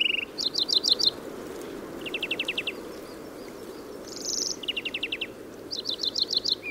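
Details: In Córdoba, a European greenfinch alternates bursts of fast twittering trills with a brief harsh buzzy wheeze, the trill phrases separated by short pauses against a soft background hum.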